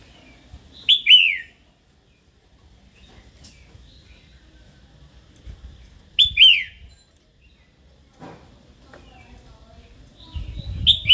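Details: Female red-whiskered bulbul calling to provoke a wild-caught male into singing and fighting; three loud, sharp descending whistled notes, each well spaced over several seconds, with faint low rumble between.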